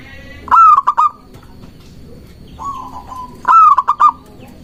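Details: Local zebra dove calling to provoke rivals and lure doves, two bright bursts of quick stuttering coos separated by a softer, level drawn-out coo.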